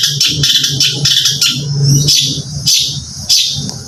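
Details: Trained competition bird in a cage sings quick high chirps and scratchy trilled notes in uneven bursts, with a low hum in the background.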